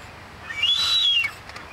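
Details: Blue-footed booby during a dance display: one clear arched whistle that rises, holds high, then falls away, lasting about a second, over quiet background.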